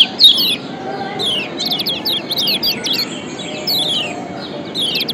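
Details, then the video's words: White-eye (kecial kuning) from Lombok, a ciak combination for luring other birds: short high downslurred chirps in loose groups over five seconds, fairly soft, over a faint low hum. "Kombinasi Ciak Joss Kecial Kuning PATEN‼️Ampuh Pancing Kecial Malas Auto GACOR‼️"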